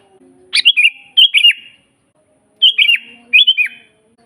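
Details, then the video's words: Sooty-headed bulbul singing, used as a master recording for training birds and luring wild bulbuls: bubbly liquid three- to four-note phrases, falling at the end, given in pairs with a second-long pause between. "suara burung kutilang GACOR asli paling banyak dicari buat masteran"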